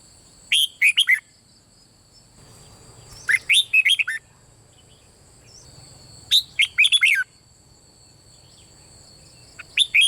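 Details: Red-whiskered bulbul song in the bulbul (เบิ้ล) style, played to stir other birds into song: four lively whistled phrases about three seconds apart, each a fast run of bright notes ending with a downward slur, over a constant faint hum.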